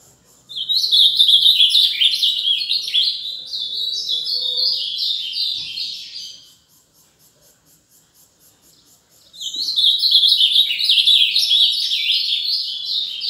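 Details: Ultramarine grosbeak singing the fast mineiro song: two bursts of rapid warbled whistles, the first about six seconds long, then roughly three seconds of quiet before a second energetic phrase of quick slurred notes.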